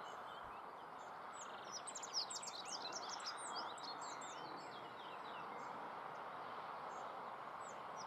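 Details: A rock bunting in the Moselle valley, Germany, gives a brief, high, thin jingle of quick tinkling notes, over a steady rushing background of wind or running water.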